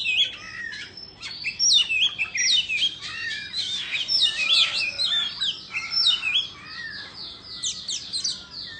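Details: White-rumped shama of the Indo form singing during a fanned-tail dance display: rapid varied phrases of bright whistles, sharp chips and upswept notes, delivered in quick bursts about three per second with little pause.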